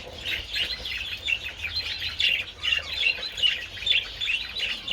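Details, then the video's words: Several budgerigars enjoying treats in the sun on 27 February: a dense, continuous chatter of high, scratchy chirps and warbled twitters from many birds at once, with rapid overlapping notes and no pauses. "Adorable budgies enjoying treats in the sun"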